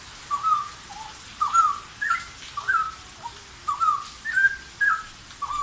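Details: Actively singing straw-headed bulbul kept in a cage, pouring out loud gurgling whistles: rolling two- and three-note phrases, slightly rising and falling, repeated about once a second in a lively, continuous stream.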